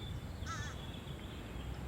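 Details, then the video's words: A Fish Crow, a crow of coastal zones and cities along the eastern US seaboard, gives a single short, nasal, slightly wavering monosyllable over steady low rumbling background noise. "the fish crow lacks the American Crow's vocal range and expressiveness sticking mostly with the nasal monosyllables"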